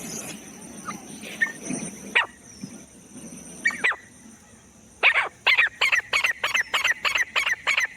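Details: Francolin, or teetar, of the jungle: after quiet rustling and two isolated rasps, a fast series of loud, harsh notes, more than three per second, runs to the end.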